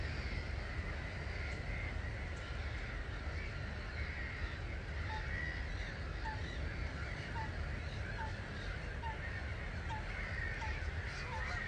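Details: About 250,000 starlings leave their roost at 05:45 on a March morning at Gibraltar Point NNR, heard from a hide. A dense, unbroken chattering din fills the air over a deep low roar, and a short note repeats steadily in the second half.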